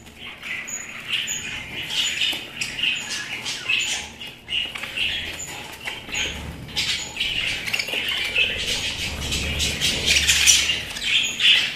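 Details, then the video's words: Pet budgerigars in continuous chatter, overlapping chirps, clicks and short squawks forming a busy, irregular warble throughout. "আমার পোষা প্রাণী বাজরিগার"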